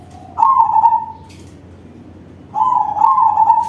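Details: Crossbred zebra dove singing loudly, a lure for other doves: two rolling, trilled coo phrases, each starting with a slight upward jump then settling into a steady vibrating tone, about two seconds apart.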